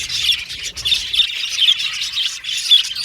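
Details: Aviary budgies chirping as a group: bursts of harsh, high squawks and chirps rising and falling in loudness, with a few clearer whistled notes standing out above the busy chatter.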